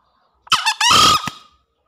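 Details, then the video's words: A green junglefowl, in a recording used to lure green junglefowl, gives one brief, harsh, hoarse two-part crow, a rasping squawk then a longer screechy note, against near-silence. "Suara Pikat Ori Ayam Hutan Hijau"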